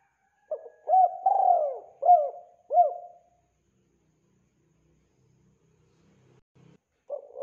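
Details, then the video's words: Spotted dove (tekukur) song meant to lure birds into traps: one phrase of four coos including a long descending note, several seconds of faint low noise, then the next phrase starting. "SUARA BERSIH BURUNG TEKUKUR AMPUH UNTUK PIKAT"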